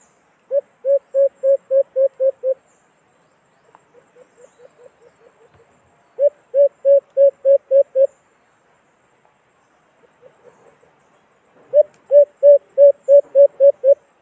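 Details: Repeated bursts from a white-eared brown dove, the alimokon used as a trap lure: several fast series of seven to nine low coos, separated by pauses and by a quieter, softer run of notes.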